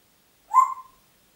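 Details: Congo grey parrot in Diebach near Hammelburg, Germany, April 2012, giving one short lower whistle with a rough edge that swells and trails off, surrounded by silence.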